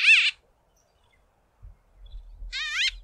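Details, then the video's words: A small flock of White-fronted bee-eaters hawking insects from fence poles, giving two loud, nasal, squeaky-toy calls about two seconds apart, each short and wavering; a low rumble of wind follows. "WHITE-FRONTED BEE-EATERS calling their loud nasal "squeaky toy' calls"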